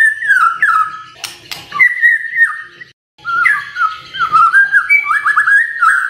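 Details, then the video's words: White-rumped shama singing in the morning to make quiet birds sing: long flowing whistled phrases with a brief break, then further warbling whistles. "Pancingan PAGI PAGI agar GACOR❗❗ murai DIAM pasti respon LEBIH gacor❗❗"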